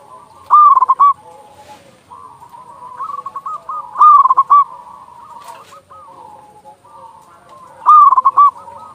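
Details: Loud-voiced local zebra dove, recorded to stimulate silent or stressed doves to sing and raise breeding urge, gives rolling pulsed coo phrases about every four seconds, with softer continuous cooing between them.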